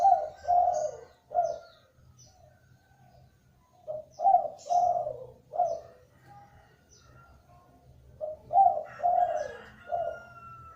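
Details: Spotted dove, called burung deruk or tekukur, calling to lure other doves into calling: low hoarse coos in phrases of three to four notes, with several-second pauses between phrases.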